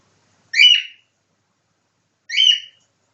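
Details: Pet cockatiel copying a nightingale's song: two short, bright whistled phrases with chirpy trills, about two seconds apart, in otherwise total silence.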